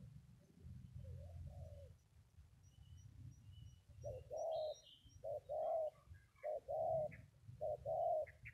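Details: Faint coo early on, then a spotted dove's short paired coos grow clearer, repeated about once a second over steady low rumbling noise and a few thin chirps.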